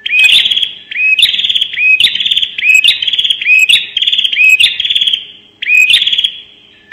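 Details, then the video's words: Bar-winged prinia in a 'nembak' lure recording: a string of buzzy, rattling high notes in bursts about every 0.7 seconds, each opening with a short upward-hooked whistle, loud and insistent throughout. "pancingan suara burung prenjak nembak"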